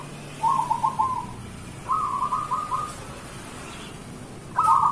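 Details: Local zebra doves singing in the morning as a lure: three short bursts of rapid cooing notes over a soft background hiss, the last one loudest.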